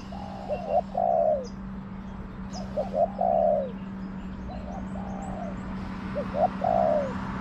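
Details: Wild spotted dove with a small voice, calling in a garden in answer to a decoy bird during trapping. It gives three cooing phrases, each of two or three short notes and then a longer falling coo, about every 2.5 seconds, over a steady low hum.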